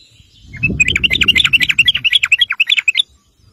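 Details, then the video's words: Sooty-headed bulbul in continuous lively chatter meant to make other bulbuls respond: a two-second stream of fast, bubbling, up-and-down notes, with low rumble during the first half. "PANCINGAN TRUCUK GACOR NGEROPEL"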